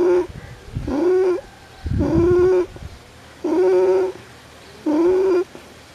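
A dove gives low, steady hooting notes, each about half a second long and slightly rising at the start, repeated roughly every one and a half seconds.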